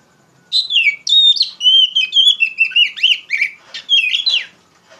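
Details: Oriental magpie-robin (kacer) pouring out loud ngeplong song to train untrained poci birds: one continuous four-second flow of rich, warbling, quickly varied whistles and trills.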